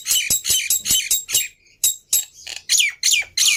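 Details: Lure song of the black-winged myna meant to provoke a quiet bird to sing, made of loud, harsh, scratchy chattering notes repeated about three per second, with a short pause midway and a brief whistled note.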